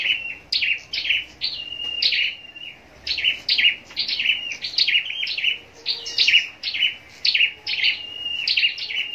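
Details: High-pitched, rapid chattering song of a caged scarlet-backed flowerpecker raised for singing contests, nearly continuous runs of sharp descending notes with a few held thin tones.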